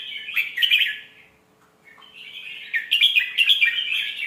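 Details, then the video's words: Caged red-whiskered bulbul giving a melodious Thai-style song meant as a teacher voice for young birds: a short warbled phrase, a pause of about a second, then a longer, louder run of bright chirping notes. "เสียงนกกรงหัวจุก สำนวนเพราะๆ เปิดสอนลูกนก"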